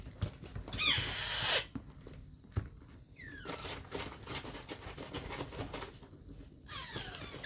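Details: Hand-fed baby parrot indoors: one loud, raspy, buzzing call near the start, followed by fainter falling squeaks amid soft tapping and feeding noises.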